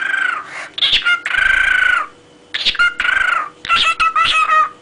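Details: Pet parrot singing: loud harmonic tonal phrases, some drawn-out and crowing-like, others short and rising, in bursts separated by brief pauses.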